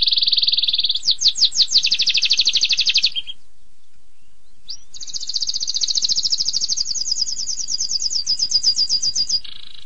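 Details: Canary in 'tembakan pedas' style: a buzzing trill and several quick down-slurred notes, a gap of about a second and a half, then a long, very rapid high rattle that speeds up toward the end.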